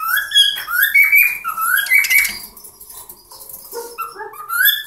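Cockatiels sing a chatty run of rising whistles, warbles and harsh chirps.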